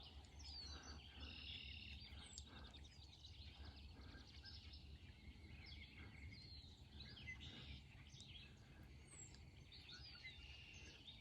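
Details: Red-winged Blackbirds heard along the Appalachian Trail during a 2022 thru-hike, in a valley before a rocky ridge: overlapping high, sharp chips and buzzy whistles, several each second, over low wind rumble and footsteps.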